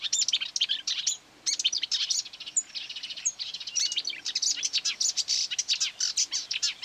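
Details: Agitated marsh warbler, drawn in by playback and attacking the mobile phone, pours out a dense, fast, varied warbling song of chatters, buzzes and high squeaks with brief pauses; recorded at a quarry site, 9 May 2020.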